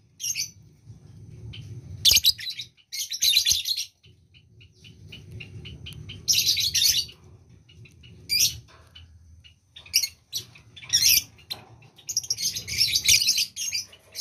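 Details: Lovebird in breeding condition calling in harsh, shrill chirping bursts, several clusters of rapid high squeaks over about fourteen seconds with short quiet gaps, faint low hum beneath.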